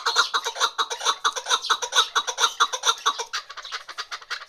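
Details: Female chukar partridge calling: a fast, steady series of harsh clucking chuk notes, about two per second, continuing without pause throughout.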